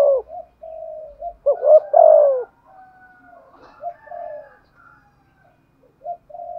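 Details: Spotted dove decoy, 'giọng thổ' voice, 'thúc gù' cooing. One clear phrase of short notes and a long falling coo, surrounded by soft, drawn-out low coos and faint murmurs.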